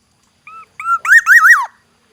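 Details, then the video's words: Black-naped oriole from Aceh: two short level whistles, then a loud fluty rolling phrase of rising-and-falling slurred notes, ending with a downward slide; a single phrase in a quiet setting. "variasi kicau kepodang Aceh, Suara khas kepodang hutan, Black naped oriole"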